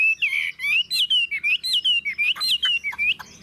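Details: Wild-caught Chinese hwamei kept in a cage, about ninety-five percent tame. It sings loud, rich slurred whistles, rising and falling, in a quick even string of about a dozen phrases over three seconds. The room is quiet.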